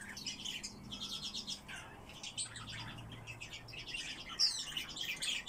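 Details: Eurasian blackcap kept indoors gives a continuous high warble: chattering trills and scratchy phrases, then clearer sweeping whistled notes near the end, with a soft low hum in the background.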